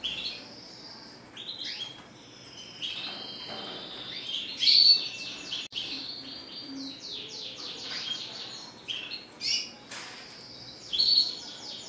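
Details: Red siskin, a classic-type bird described as singing constantly, gives a long twittering song of high buzzy trills, sweeping whistles and rapid chirps, loudest in bursts near the middle and end.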